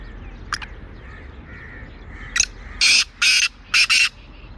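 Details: Black francolin, known locally as kala teeter, in Sindh, Pakistan: a few faint sharp ticks, then four loud, harsh, grating notes in quick pairs near the end over quiet rural background.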